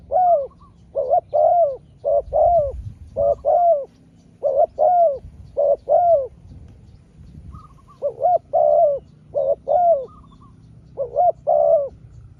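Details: Spotted dove taking turns calling against a rival wild dove during a long exchange. Steady series of soft paired coos repeat about once a second, with two short higher quavering notes and a brief low rumble.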